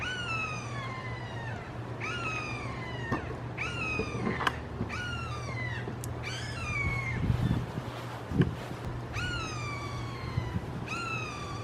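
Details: Three red-shouldered hawks (Buteo lineatus) calling long and loud in a Florida backyard, possibly a family squabble: ringing, downslurred kee-aah screams, about once a second and overlapping, over a steady low hum.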